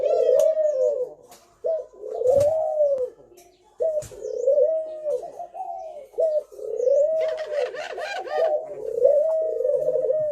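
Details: Spotted dove singing a thổ pháp style song, used to stir up young, male and female birds; low mellow coos rising and falling in grouped phrases with short pauses, plus brief higher chirps and clicks in a small room.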